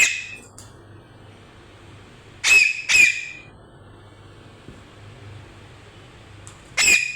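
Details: A parrot gives loud, harsh squawks: one near the start, a pair about half a second apart midway, and another near the end, over a low steady indoor hum.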